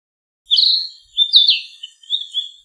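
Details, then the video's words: Singing Narcissus flycatcher delivering three clear whistled phrases in under three seconds, each with quick slurred notes and a faint high overtone, the last phrase softer and more broken; background silent. "キビタキの美しい囀り02 癒しの鳴き声"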